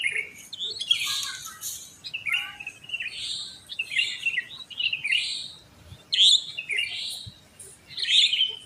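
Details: Sooty-headed bulbuls singing after daybreak among homes where they are plentiful: busy, bright chirps and short trills in clusters, around 31 bursts a minute, overlapping other birds.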